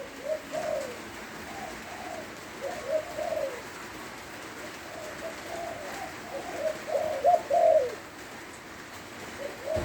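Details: Zebra dove singing in the rain in Lopburi, Thailand: soft, low, rolling cooing phrases repeated every few seconds, set against a constant hiss of falling rain.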